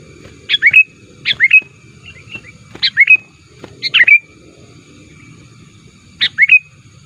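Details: Sooty-headed bulbul used to attract wild birds, said to challenge rivals: short, liquid, two- or three-note phrases repeated at irregular intervals of one to two seconds, with quiet gaps between.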